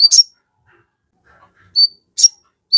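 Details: Crested jay calling as bait to trigger replies: separate sharp bursts paired with clear high whistled notes, spaced by short silences.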